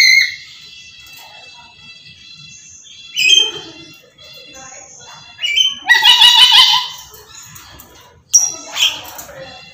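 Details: Black-capped lory, a talkative, pet bird, calling without pause: whistled squeals and piercing harsh screeches come in bursts, the loudest a long raspy scream midway, with quieter chatter between.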